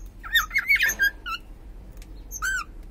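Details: Pet cockatiel of unknown sex, indoors; a few short whistled notes with wavering pitch, then a single rising-falling whistle near the end, faint room hum beneath.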